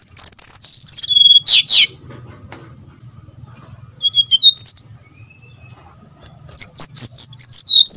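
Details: Brown-chested jungle flycatcher singing, a lure meant to provoke other birds into song: high whistled notes slurring down the scale in quick series, separated by quiet gaps, with three distinct phrases.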